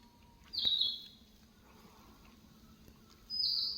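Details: Small bird's song in two brief, high, thin phrases, one near the start and one at the end, each a slightly falling sharp chirp, separated by a quiet pause.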